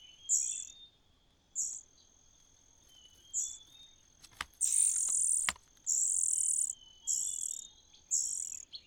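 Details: Begging cuckoo chick raised in another bird's nest: a few spaced high hissing squeaks, then longer, louder rasping bursts in quick succession near the end.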